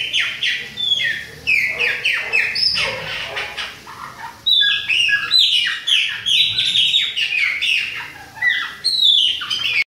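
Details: Bahia type Chopi blackbird, a young one together with another in autumn; rapid sequences of loud descending whistles and rough chattering notes, pouring out in long bursts with brief breaks.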